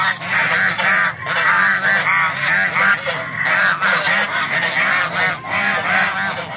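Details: Several little ducks quacking while eating. Dense, overlapping nasal quacks run almost continuously in rapid repeated bursts, with brief lulls near the one- and five-second marks.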